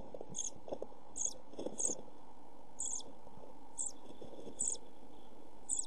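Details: European pied flycatcher chicks in a nest box during food shortage and hot weather, when the smallest chick dies; short high thin cheeps repeat irregularly over a steady low murmur of rustling and hum.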